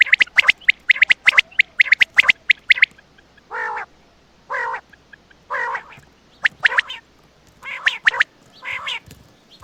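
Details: Quail calling at night in Attock. A fast string of sharp high notes comes first, then lower, harmonic, croaking nasal notes spaced about one a second, with a few more high notes later.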